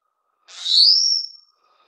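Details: A Taiwan whistling thrush (Myophonus insularis) feeding chicks gives a single shrill, high whistle lasting about a second, starting with a harsh edge, then steadying and slightly rising before fading; otherwise quiet.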